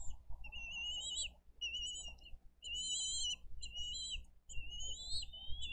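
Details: At a live nest cam in Dade County on 22 April 2023, bald eagle parents deliver fish and feed two eaglets. A steady string of about eight high, quavering whistled notes, some rising at the end, rides over low wind rumble.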